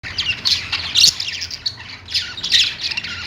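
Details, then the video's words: Pet budgerigars, Australian parrots, singing on a perch: two bursts of scratchy, squawky chattering warble, high and busy, separated by a short quieter pause. "budgies singing on perch"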